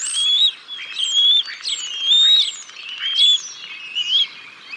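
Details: Decorah North bald eagles on 6 May 2022, the father feeding the young a fish: a quick series of high, clear whistles, each rising slightly and then falling, about one per second, over soft background hiss.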